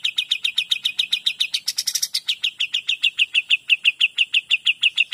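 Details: Kapas tembak, the Cream-vented Bulbul, in 'gacor dor' song: an unbroken stream of crisp, bright chip notes about six per second, with a brief rough buzzy burst in the middle before the even chipping resumes.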